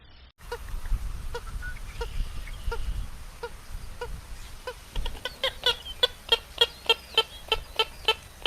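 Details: Purple gallinule giving a run of harsh clucks that starts loose and quickens into loud, evenly spaced, ringing notes toward the end, with a faint low hum beneath.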